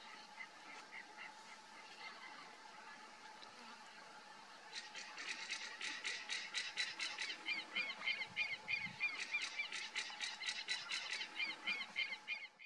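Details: Crane hawk at its lookout perch: faint scattered notes, then from the middle a burst of rapid, ringing harmonic notes, several a second, overlapping with a second repeated series, over a steady low hum.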